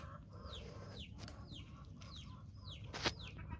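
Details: A flock of guineafowl trailing after a hen on a farm, with a steady series of falling whistled notes about twice a second and a sharp click near the end.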